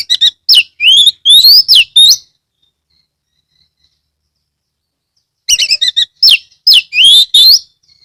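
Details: Oriental magpie-robin (kacer) from Kebumen, Central Java, Indonesia, singing loudly to lure other magpie-robins: two bursts of fast chips and upward-sweeping whistles separated by a three-second pause.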